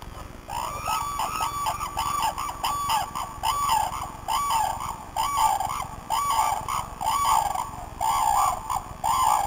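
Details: A flock of red-crowned cranes (Grus japonensis) at a crane sanctuary in Tsurui village gives loud, rolling trumpeted calls. Many birds call over one another in a dense, continuous chorus.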